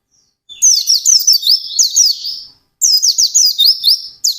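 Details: Intense fast ngalas song of a white-eye: rapid high whistled chirps with upward and downward slurs packed into two long bursts separated by a short pause.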